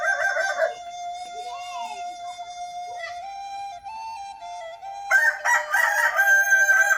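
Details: Prized Kukuak Balenggek crowing chicken of Padang, West Sumatra, giving a long drawn-out crow held on one level tone that steps up in stages before breaking into a harsh, rougher ending.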